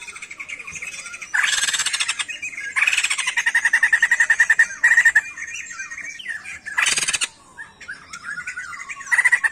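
A songbird sings a lively medley of harsh, scratchy squawks broken by runs of quick, clear whistled notes at a steady middle pitch.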